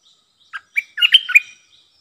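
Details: Streak-eared bulbul, a caged decoy bird used to lure wild birds and to teach young birds, giving a short bubbly phrase of four or five quick liquid whistled notes after a single lead note.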